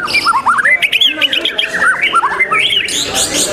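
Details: White-rumped shama (murai batu) in a bird-song competition, 12 December: quick series of short, bouncing whistled notes, repeated several per second, with a long thin whistle and noisy contest surroundings.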